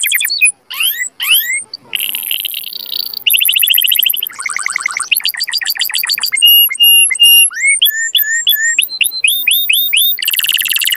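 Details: Varied canary song to encourage mating, alternating separate sweeping whistles, short fast trills and rolled tours, each phrase changing every second or so.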